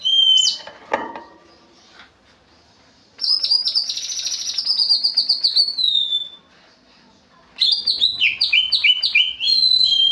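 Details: Sooty-headed bulbul singing in a sharp 'tembakan pedes' style: a quick whistled slur, a pause, a long high buzzy trill falling at the end, then a rapid series of clear up-and-down whistled notes.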